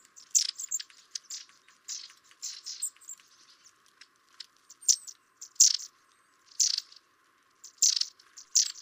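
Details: Winter garden feeders host a pair of long-tailed tits, recorded through a double-glazed window over 40 feet away; short, rasping, high call bursts come in irregular groups of two or three, about every second.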